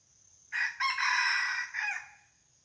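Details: Decoy red junglefowl crowing to lure wild junglefowl, at a spot where barking deer came the previous day: a loud, harsh crow in three joined parts lasting about a second and a half, over a steady high insect whine.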